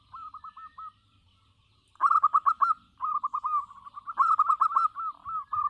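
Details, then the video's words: Local zebra dove in full song: a soft string of coos, a pause, then loud stuttering bursts of rapid cooing notes merging into continuous rolling trills at steady pitch, repeated twice. "suara perkutut lokal gacor"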